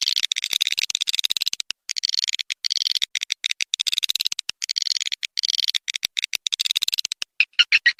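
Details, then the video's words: Swiftlets calling, as played to pull them into a swiftlet house, with bursts of fast, clicking, high twitters separated by brief gaps, ending in a few louder separate chirps. "suara panggil burung walet"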